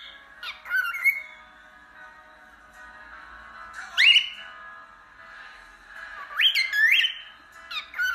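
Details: Cockatiel giving a few harsh, rising squawks separated by gaps of about two to three seconds, each sweeping sharply upward, set against steady background music in a small indoor room.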